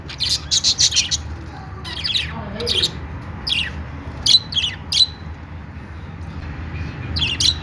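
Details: Happy chatter of budgies: rapid runs of sharp high chirps, a falling squeaky note near the start, then spaced single chirps, each about half a second apart, with quiet low background noise.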